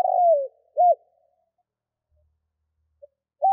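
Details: Vietnamese decoy spotted dove cooing to entice wild doves. A falling drawn-out coo and a short arched hoot come first, then quiet with one faint note, and a new coo starts at the very end.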